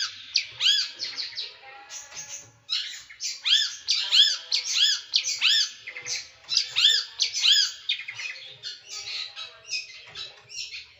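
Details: Small bird giving a sharp, dense, rough song burst: loud harmonic arched notes and short chips repeated in quick uneven clusters for several seconds with a single brief pause.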